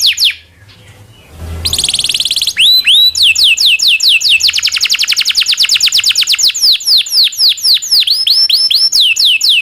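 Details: Local canary used to tutor shamas, magpie robins and green leafbirds: a quiet moment and short burst, then a sustained run of rapid downward-gliding whistles forming a long rolling phrase.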